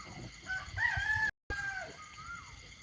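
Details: Rooster crowing in the early morning at a rural home while the moon is watched at dawn: a drawn-out, harmonic, slightly rising then falling crow, briefly cut out midway, ending in a lower trailing note over soft background murmur.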